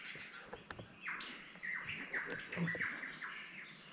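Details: A Superb Lyrebird, hidden in dense bush up a hill in summer in Cathedral Ranges State Park, Victoria, Australia, runs through mimicked calls: loud, ringing notes that sweep down, repeated about twice a second with varied phrasing, over faint bush sounds.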